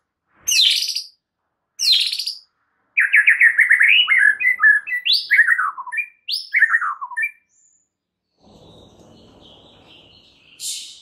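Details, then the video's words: White-rumped shama song to provoke other shamas: two high whistled notes, then a fast rattling stream of descending chattered phrases, followed by a soft, noisy hiss and a final high note. "PANCINGAN Murai Batu bikin langsung EMOSI murai manapun saat mendengarnya"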